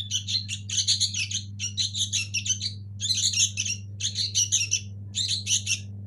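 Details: Nestling sooty-headed bulbuls of local stock chatter in dense, raspy bursts about half a second long, repeated almost without pause, with a constant low hum underneath.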